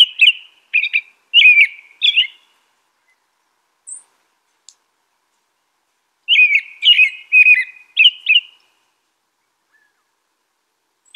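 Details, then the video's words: American robin caroling: four choppy whistled phrases, a lull with a faint high note, then a second burst of five up-and-down whistles. "American Robin Song.(Turdus migratorius)."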